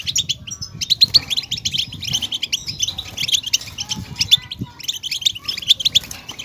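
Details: Rapid goldfinch twittering meant to rouse caged goldfinches into song: bursts of tinkling, clipped chirps run together, a short pause near two seconds, then more busy trilled phrases with occasional bright whistled accents.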